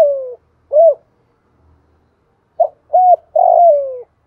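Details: Decoy spotted dove calling to make wild doves coo along and come fight; a falling coo and an arched note, a pause, then short notes leading into a long descending coo.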